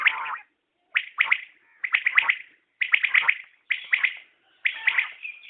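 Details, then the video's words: A common quail gives repeated triple-note calls, each phrase of rapid, bright, clipped notes followed by a short silence, roughly one phrase per second. "Batair Ki Awaz | Common Quail Calling| Naye Batair Ki Awaz|New Recording Common Quail| Batair sounds"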